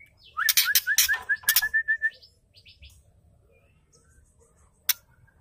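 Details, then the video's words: Female white-rumped shama giving ketrekan, a call meant to rouse males into aggressive song: harsh rattling bursts laced with a rapid ringing whistled note for about two seconds, then sparse faint notes and one sharp click. "KETREKAN PENDONGKRAK EMOSI MURAI BATU❗❗MURAI BATU BETINA"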